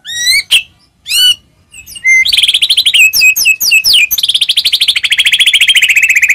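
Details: Murai batu (white-rumped shama) singing as a lure for other shamas: a few rising whistles, then scattered chips leading into a long, fast buzzy trill that slowly drops in pitch.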